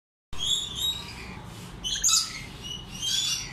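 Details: A hand-raised lorikeet chick gives shrill, scratchy high chirps in short uneven bursts, about one each second, over a low background hum.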